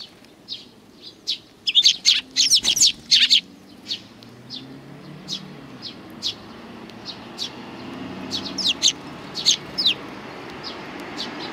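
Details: Sparrows coming to be fed on the front approach of a Tenmangu shrine, 29 May 2020: bursts of sharp, high chirps, dense and overlapping early on, then scattered single tweets every second or so over a faint low hum.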